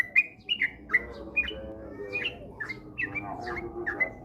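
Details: Sooty-headed bulbul, a lure recording meant to spur kept birds into rapid ropel singing: quick bright chirps and short slurred notes, some rising and some falling, loosely spaced, over a low steady hum.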